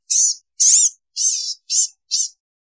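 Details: Blue-gray gnatcatcher giving five thin, buzzy, nasal high-pitched notes, each about a quarter second long, spaced roughly half a second apart, with the later notes slightly shorter; clean recording with silence between notes.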